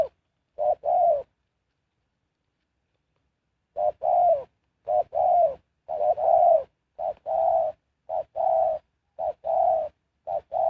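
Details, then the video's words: Spotted dove calling as a decoy to attract wild birds: one paired coo, a long silence of nearly three seconds, then a steady run of short-then-long cooing phrases. "Sound Of Spotted Dove is so good"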